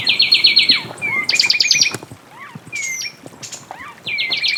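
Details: Fulvous wren song full of variety: fast rattling runs of high notes, clear slurred whistles that rise and fall, and twisting chirps, in a busy, lively sequence.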